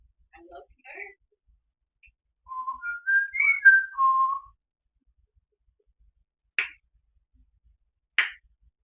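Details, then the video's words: Pet African grey parrot alone at home, vocalising toward the TV: a series of pure whistled tones stepping up and down in pitch, followed by two sharp clicks. "Peter talking and making random sounds."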